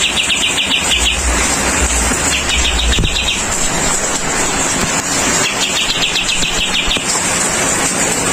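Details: Kapas tembak bulbul sings during rain, offered as rain-water therapy to make it sing vigorously. Three short rattling series of quick high chirps, separated by gaps, sit above a constant rain hiss and deep rumbling.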